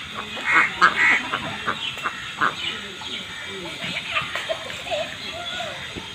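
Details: Farmed ducks on a pond giving loud nasal quacks, a quick cluster of harsh calls early on, then scattered shorter quacks, with people talking in the background throughout.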